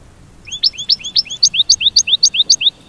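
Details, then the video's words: American goldfinch mating call: a run of about twelve high, sweet upslurred notes, each paired with a short higher chip, delivered evenly about five per second over quiet background. "The Enchanting Goldfinch Song: Nature's Musical Masterpiece"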